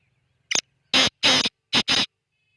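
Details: A black francolin's rasping call begins with a short thin note, followed by four loud, harsh, buzzy syllables in a clipped rhythmic phrase lasting about a second, with no other sounds nearby.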